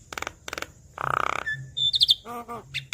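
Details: Short burst of Javan myna song aimed at a bird slow to sing: two dry clicks, a long harsh buzz, a thin whistle, a trill of high notes, then nasal honking calls.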